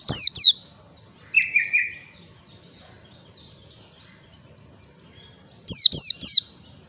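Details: White-eye lure recording in the ngalas style for bird training: two high falling whistles, a lower buzzy trio, a long quiet gap, then three more piercing downslurred notes.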